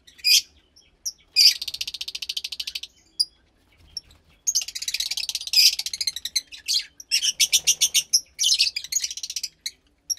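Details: Fischer's lovebird chick around 15 days old, kept in captivity, from a lutino and pastel blue pair, delivering long trains of fast pulsed raspy chirps, several seconds each, broken by brief pauses.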